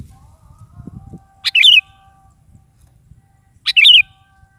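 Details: Sooty-headed bulbul singing lively gacor-style in the morning: two short bubbly, warbling phrases of liquid notes, about two seconds apart, each opening with a sharp note, over faint low rumble.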